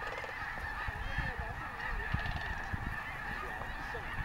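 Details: Distant steady chorus of many snow geese honking together at Bosque del Apache National Wildlife Refuge, an even, unbroken murmur of nasal calls over low background rumble.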